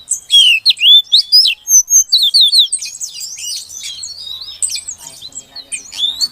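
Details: Female Oriental magpie-robin, calling to draw song from a male that has gone quiet; loud quick series of clear whistled slurs and chirps, then a softer, scratchier run of varied notes.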